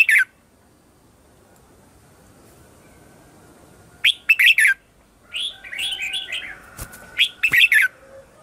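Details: Red-whiskered bulbul singing in the morning as a lure for wild birds: a lone note, a silence, then sharp warbled phrases and a softer, rolling run of chirps with a couple of clicks.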